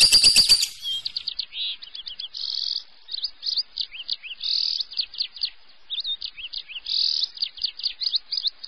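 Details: Lovebird song used as a lure to stimulate other lovebirds to sing: rapid high chirps and short buzzy notes, with a brief loud crackle at the start.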